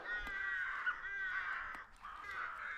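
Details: Rooks at a rookery in woods next to a garden making a lot of noise: many hoarse, drawn-out caws overlapping into a continuous cawing racket.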